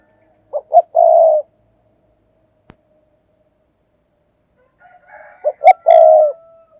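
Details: Spotted dove coo, 'thúc gù' decoy style for attracting doves: two phrases about four seconds apart, each two quick hoots and a sustained coo, the second phrase preceded by soft low notes; a single click between them.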